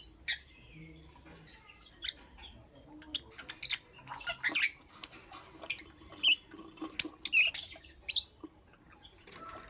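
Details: Morning lovebird chirping: many brief, shrill high notes and clicks scattered irregularly, clustering into quick runs in the second half, with faint low background rumble.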